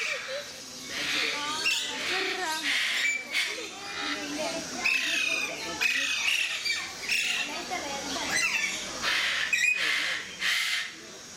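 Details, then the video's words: Alexandrine parakeets in an enclosure at Mysore Zoo, giving harsh, grating squawks in a loose, overlapping chorus, several calls every few seconds, with people's voices murmuring underneath. "Alexandrine Parakeets At Mysore Zoo"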